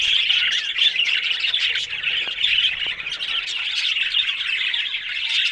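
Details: Pet budgerigars, also called parakeets, near Larkana in Sindh, chattering continuously with fast twittering, warbling and squeaky chirps, several birds overlapping in a dense high-pitched stream.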